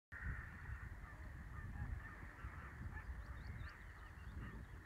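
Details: Black-legged kittiwakes (Rissa tridactyla) at Ölands nordöstra udde on 1 May 2016, calling in a dense colony chorus, a continuous wash of overlapping nasal, wailing cries, over a strong low rumble of wind and surf.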